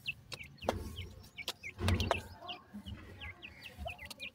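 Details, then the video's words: Grey francolin chicks during feeding, giving clear, high, down-curving peeps every fraction of a second, mixed with knocking thuds and a low rumbling background. "gora teetar checks feeding,titur checks voice"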